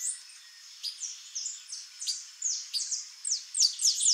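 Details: Female white-bellied seedeater calling with clear, high downslurred whistles, several spaced notes that quicken into a short rapid series at the end.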